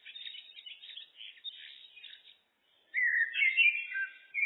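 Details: Looped song of a common blackbird: a soft, thin twittering passage, a short silence, then a loud, mellow whistled phrase that rises and falls with a chattering finish.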